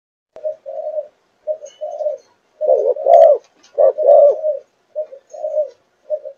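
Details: Four-month-old Malaysian-line spotted dove in chiêu gù chạy style. It gives soft low coos, swelling midway into louder, fuller notes, then easing back to gentle paired coos.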